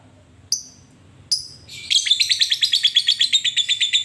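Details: Lovebird used as a lure to call a rival, two sharp high chirps, then a fast ngekek chatter of evenly repeated buzzy notes, about six per second, running steadily to the end.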